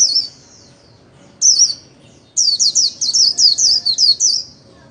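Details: White-eye 'líu' singing from the ornamental-bird hobby, played for daily practice. A short high phrase, a pause, a second burst, then a longer rapid series of shrill slurred whistles.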